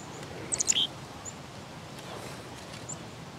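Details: Black-capped chickadee giving a rapid burst of high, sharp chip notes lasting under half a second, followed by quiet with a few faint distant high notes.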